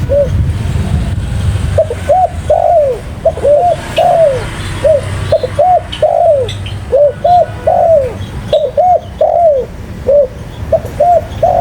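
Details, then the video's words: Spotted dove calling continuously, phrases of short rising-falling coos and longer drooping notes repeated again and again over a low rumbling background. "Burung Tekukur Paling Gacor"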